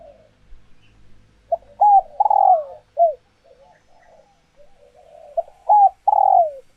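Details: Captive female spotted dove ready to lay, calling to excite males into cooing; loud hoarse coo phrases repeated twice, each a short rising note and a long falling coo, with quiet soft coos between.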